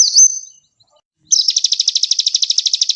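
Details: Common iora (konin) singing in a tutor (masteran) recording: a high, thin whistle, a short pause, then a rapid, even burst of sharp high notes at about seven per second.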